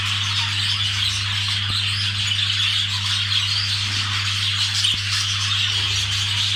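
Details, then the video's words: Budgerigars during mating: dense, continuous warbling chatter of overlapping high voices with scratchy squawks, no pauses, over a steady low electrical hum. "Muhabbetkuşu çiftleşme sesi"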